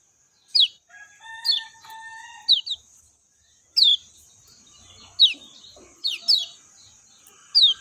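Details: High, sharp downslurred whistles, lemon-bellied white-eye, come singly and in quick pairs at uneven gaps; soft level tones sound lower early on, and a steady hiss runs throughout.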